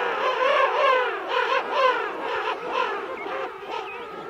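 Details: Close-up adult King penguins calling in a mixed colony of adults and chicks at Right Whale Bay; bursts of loud warbling trumpet calls roughly every half second, fading later into thinner whistles.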